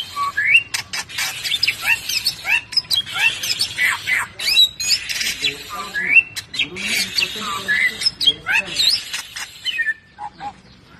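A Bali myna sings a busy jumble of harsh squawks, rising whistles and chattering notes without pause, with faint murmuring in the background.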